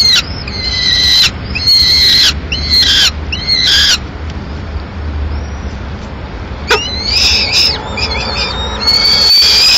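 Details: Mid-morning at a Madrid peregrine falcon nest as the female delivers leftover pigeon; bursts of high, thin, harmonic whining calls, then a quieter pause, then more rising and falling cries.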